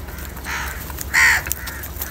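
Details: A crow caws while eating salty food, one harsh, short, nasal caw standing out after a softer earlier note, over a steady low background hum.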